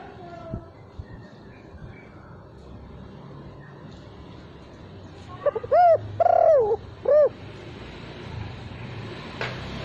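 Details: Spotted dove lure call without the final 'kuk' note: a short phrase of three mellow, rounded coos, the middle one longest, over faint background hiss.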